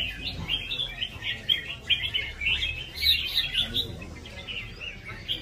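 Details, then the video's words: Competing red-whiskered bulbul delivers continuous lively song, quick liquid whistled notes strung into rhythmic chattering phrases, fairly steady throughout, low background noise. "CHÀO MÀO | CB với nết đấu nhịp nhàng"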